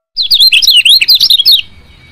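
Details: Female lemon-bellied white-eye giving its chirping call, used to stimulate lazy males to sing: a loud, rapid run of high, sharp zigzag chirps lasting about one and a half seconds, then quiet.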